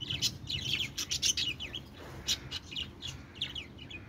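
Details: Budgies give clustered scratchy chirps and short downward-sliding squeaks, busy at first, then sparser, with short pauses between bursts; low hum behind.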